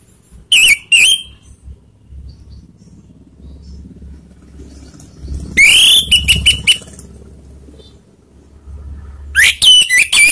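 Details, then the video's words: Orange-headed thrush song used as a lure to provoke rival birds: short loud bursts of sharp whistled and buzzy notes near the start, mid-clip and end, separated by quiet gaps with low background hum. "pancingan anis merah bikin emosi lawan"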